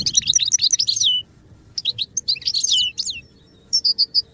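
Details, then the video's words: Goldfinch song for song training: a rapid tumbling twitter, a brief pause, more quick chirping phrases, then a few clear repeated whistled notes. "Birdsong sound effect beyond support and inspiration goldfinch"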